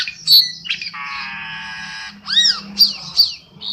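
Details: Black-winged starling trapping lure sound: a whistled note, then a long harsh nasal buzz of about one second, followed by arched whistles and sharp upslurred chips.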